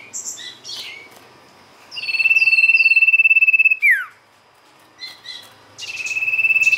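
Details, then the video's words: Sirtu (ashy tailorbird) song used as a lure: high chirps, then a long, even, rapidly pulsed trill at steady pitch lasting about two seconds, ending in a quick falling slur, with another trill starting near the end. "pancingan sirtu gacor"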